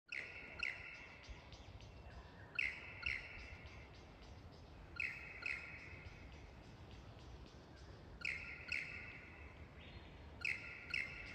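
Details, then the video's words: A lyrebird, which learns to sing and dance before the mating season, sings loud, ringing phrases with sharp high notes every two to three seconds over a steady background hiss. "Burungnya belajar bernyanyi dan menari sebelum musim kawin tiba, Lyrebird"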